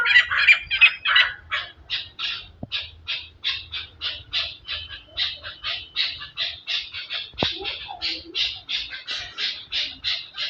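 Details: Chukar partridge delivering a steady rhythmic rally of clipped chuck notes, nearly three per second, starting rougher and louder, then settling into an even repeated beat.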